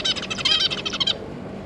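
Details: Zebra finches, a pair and three juveniles, 9 June 2022: a dense run of quick, nasal, buzzy notes lasting about a second, then quiet.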